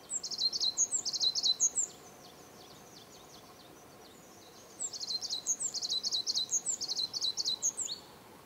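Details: Tenerife blue tit calling on Gran Canaria in Tamadaba Natural Park in March 2010: high, thin chattering notes grouped in quick triplets with sharp upper ticks, two bursts separated by a pause of about three seconds.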